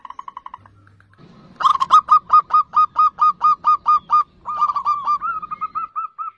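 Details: Zebra dove singing vigorously as a lure for other zebra doves: a long, even run of about fourteen clear hooked coo notes, then a faster rolling series that rises slightly in pitch.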